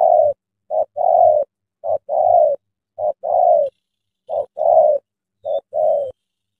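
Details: Tame decoy spotted dove luring a large wild spotted dove into a trap, early morning. It gives steady low two-part coos: a short clipped note then a longer hollow one, repeated about every second, with faint low hums beneath.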